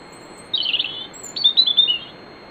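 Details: European robin singing before dawn at night in riverside woodland at Bóveda, Lugo, Spain: two short phrases of high, thin warbling notes, the second a quick run of liquid trills, over a faint steady hiss.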